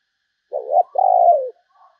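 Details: Spotted dove (Spilopelia chinensis) gives a low, hollow coo: a short two-part note, then a longer drawn-out falling coo, with a faint trailing note after.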